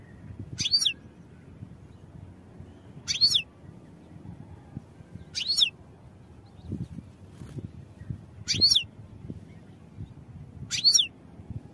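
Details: European goldfinch recorded for song training: a sharp, high, down-slurred call note repeated about every two and a half seconds, five times, over a low steady background rumble.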